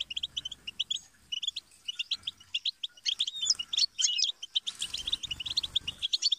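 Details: European goldfinch singing a fast, tinkling twitter of short chirps and trills with buzzy, liquid notes, with brief pauses between phrases; faint low rumbles underneath.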